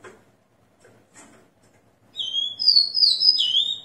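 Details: Rufous-collared sparrow kept in a cage, recorded at 6 am on 29 September 2021 after moulting, sings a bright phrase of sweet high whistles, a steady note rising into a wavering trill-like ending, after faint clicks and taps.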